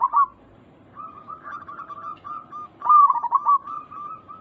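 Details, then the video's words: Local zebra dove cooing, used as a lure to make other zebra doves answer quickly: a short opening coo, then a run of rapid rolling, trilled coos, a pause, and a louder, faster burst of rolling notes. "Perkutut lokal gacor Suara ini membuat Burung Perkutut langsung Nyaut cepat respon 100% sangat ampuh"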